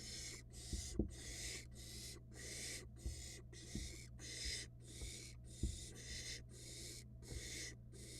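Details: Young barn owl in a Florida nest box gulping down a rat, uttering rasping hisses in a steady series, about one per second, alongside scattered low knocks and a constant electrical hum.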